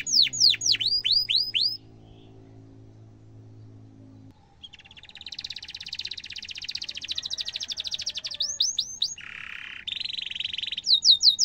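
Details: Domestic canary in full, long emotional song used as a lure for young canaries learning to sing: bursts of sharp descending whistled 'cuit cuit' notes, a quiet pause with a low steady hum, then dense buzzy trills and rolls.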